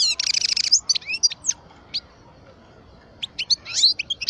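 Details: European goldfinch, parva subspecies, aged twelve years, singing a dry buzzy trill followed by scattered high, slurred chips and twitters, a silent stretch, then more quick liquid notes.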